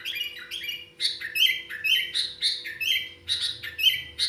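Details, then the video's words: Sooty-headed bulbul singing in a trocok-style fill-in song: bright, chirpy notes in short bursts, repeated roughly twice a second with slight variation, fairly clean with little background noise. "kutilang isian trocok"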